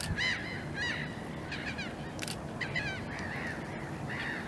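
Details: A common goosander pair, with the female preening while the male seems uninterested, gives harsh, nasal croaking calls in short bursts about twice a second over a steady low rush of water or wind.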